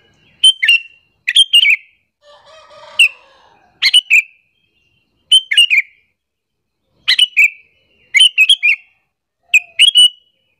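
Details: Lure call of a sooty-headed bulbul, meant to anger rival bulbuls: clusters of sharp chirps repeated roughly every second or two, with a brief lower buzzy rasping sound between the first groups.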